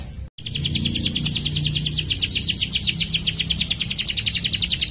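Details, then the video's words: Canary delivering a long roll, used as master recording to train young birds: after a brief cut, a continuous rapid high trill of evenly repeated pulses runs to the end. "KENARI GACOR NGEROL PANJANG COCOK UNTUK MASTERAN SEGALA BAHAN KENARI"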